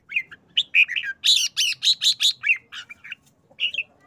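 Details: Excited caged red-whiskered bulbul giving short song bursts, including a rapid series of about six loud, harsh 'rik rik rik' notes repeated quickly, framed by warbled whistled phrases.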